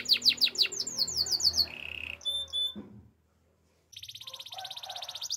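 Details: Belgian canary singing in the morning: quick falling whistled notes and a short low trill, then a brief silence before a high buzzy rattle resumes over a faint background hum.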